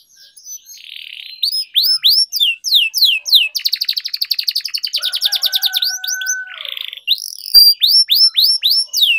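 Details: Canary tutor song for singing training, long rolls: buzzy opening, runs of hooked whistled notes, a long rapid pulsing roll with a low steady tone beneath, then more repeated hooked whistles.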